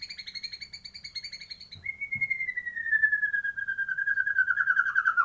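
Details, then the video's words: White-rumped shama with kapas tembak song fill: rapid high pulsed notes, then a single long, slowly falling whistle with a throbbing, tremulous quality lasting over three seconds, ending in an abrupt upward flick. "murai batu isian kapas tembak"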